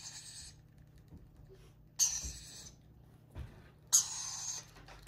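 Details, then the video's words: Young lorikeets being hand fed: three short, noisy rasping cries spread over five seconds, over a low electrical hum indoors. "lorikeet Babies Hand feeding"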